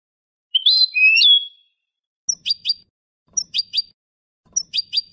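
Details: European goldfinch singing a clean Malaga-style song meant for young birds to learn: a long warbled whistle followed by clusters of two to three sharp, high metallic chirps after short gaps.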